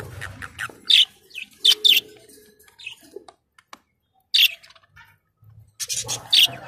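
Budgerigar chatter: quick, scratchy chirps and short buzzy notes in uneven bursts, with brief pauses between. A low rumble is heard at the start and end.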